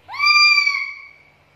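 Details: Black-capped lory used as a lure and training bird: one drawn-out squawk that swoops upward and then holds a steady, harsh, ringing tone for around a second, fading at the end.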